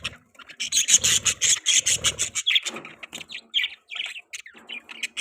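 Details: Budgerigars chirp in a fast run of sharp, high tweets, evenly pulsed at first, then breaking into scattered squeaky and warbled notes.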